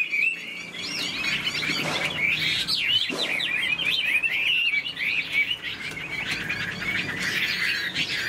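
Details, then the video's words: Singing caged Chinese hwamei, tail fanned and flicking in display, delivers dense, jumbled whistles with swooping notes and scratchy twitters running without a break for the whole stretch. "Họa mi đuôi xòe chơi cánh, bóng bộ cực đẹp, hót vẩy đuôi khướu"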